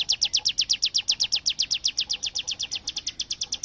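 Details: Bar-winged prinia producing a long, even rattle of slurred high chip notes, around seven per second, keeping a steady pace like gunfire, with little else audible.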